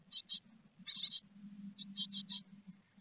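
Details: Nest-box great tits at Théding, France, 4 May 2021, while a large peanut is brought as food. Short clusters of high squeaky peeps come in bursts of two to four, over a low indoor hum.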